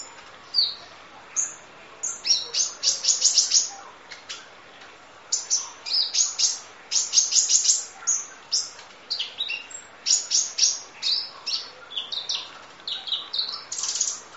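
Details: Kolibri ninja sunbird full song with rapid-fire delivery, used as masteran training audio: long bursts of piercing, closely packed high chips and ticks, broken by short pauses, with a soft hiss beneath.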